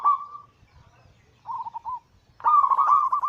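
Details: Several zebra doves cooing for a daily master and lure track used to trap and stimulate birds. A held coo opens, a short rippling phrase follows mid-clip, then a long dense warbling burst over faint low thumps.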